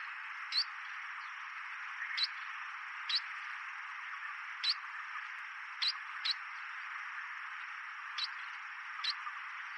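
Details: Chestnut munia (Lonchura atricapilla) at Donggang, Taiwan, on 11 May 2023, giving brief, thin, high chirps, about eight scattered irregularly over ten seconds, over a steady loud hiss.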